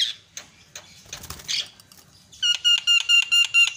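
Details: Myna lure sound: faint scratchy noises give way to a burst of loud, rasping notes repeated about three times a second.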